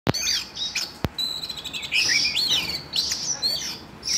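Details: A captive Siberian Rubythroat, stirred to sing while a young bird is being trained, gives a rich, varied warble of high, quick, slurred whistles and chattering phrases, broken by two sharp clicks near the start.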